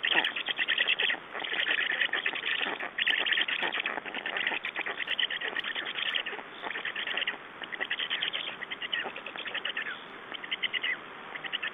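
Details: Black storks at a nest in Estonia on 9 June 2011, during a nest exchange and feeding; dense, rapid bursts of harsh chattering and squeaky calls repeat almost continuously, with short pauses between clusters.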